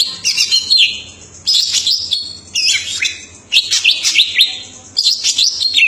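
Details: Greater green leafbird singing actively in a bright, rapid song: five bursts of sharp chirps, quick whistled slurs and twittering notes, each lasting about a second, with short pauses between them and a faint low hum behind.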